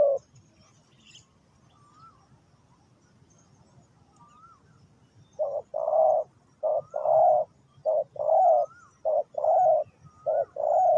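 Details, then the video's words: Spotted dove cooing for bird trapping: after a quiet stretch with faint thin whistles, a run of low hollow coo notes in paired and grouped bursts. "The Sound Of the dove"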